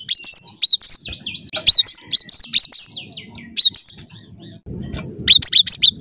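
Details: A gacor gelatik batu delivers many ringing, high whistles in uneven bursts, mixed with softer sliding notes, then a short quiet spell with low rumble and a final quick volley.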